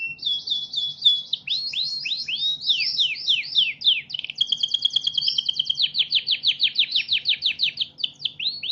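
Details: Canary song meant to train other birds: varied looping whistled sweeps, then a fast buzzy trill and a string of quick repeated descending notes.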